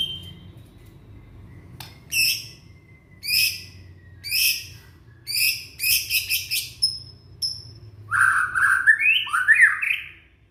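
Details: Young white-rumped shama from Indonesia, singing to coax silent shamas into song: a run of short sharp downslurred notes about once a second, a burst of high buzzy trills, then lower warbled rising phrases near the end.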